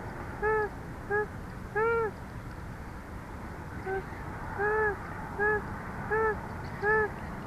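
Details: Bald eagle at a live nest cam in Big Bear on a hot day, the female making soft noises while her mate pants beside her on the back porch; eight short arched, slightly nasal notes in uneven rhythm over a steady low hum.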